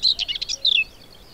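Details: A common whitethroat sings in spring, late April to early May 2022, at Baie d'Audierne, Brittany, France: a brief, scratchy warble of high, chattering notes lasting under a second, ending in a thin falling slur.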